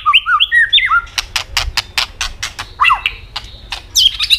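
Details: White-rumped shama singing strongly to stimulate subdued birds. Quick, varied whistled flourishes lead into a steady series of sharp clicks, about five per second, with a slurred whistle partway through and another at the end.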